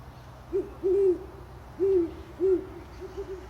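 Great horned owl giving a low, soft series of five or six hoots, a short note then longer drawn-out ones, over a quiet background.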